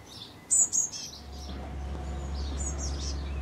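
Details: A 19-day-old Eurasian blue tit fledgling, first to leave the nest and perched on a branch, calls to its parents for food with a quick burst of thin, very high notes, then fainter repeats, over a low hum.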